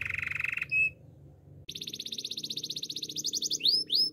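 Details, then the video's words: Male canary gives a buzzy roll, pauses briefly, then launches into an even, fast high trill that ends in two sweeping whistled notes. "Male canary singing with beautiful voice"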